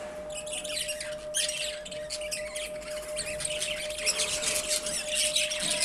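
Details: Morning chatter of budgerigars, softer here, with scattered high chirps and warbling phrases that swell in the second half, over a steady low hum.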